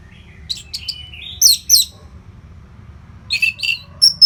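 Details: Orange-headed thrush training song for fighter birds: scattered chirps and a level whistle, two loud upward-sweeping notes, a quiet gap, then several more sharp whistled phrases.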